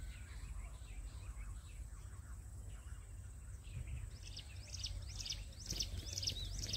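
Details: Jungle bush quail call, played in small hilly forest to lure the birds for trapping: faint scattered chirps at first, then a louder run of sharp, high, rapidly repeated notes, about two a second, over steady low rumbling noise.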